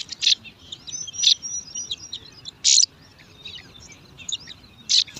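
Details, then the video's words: Bar-winged prinia nestlings, five chicks in a nest among alang-alang grass, scrambling for food: loud harsh hissing squeaks in separate bursts about a second apart, over faint high twittering. "Lima Anakan Burung Ciblek Rebutan Makan"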